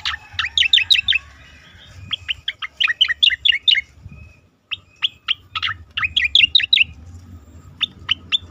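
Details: Asian pied starling singing for a competition-bird training recording: rapid bursts of sharp, clipped chirps and whistles in quick clusters, a brief pause, then more chattering phrases ending in scattered single notes.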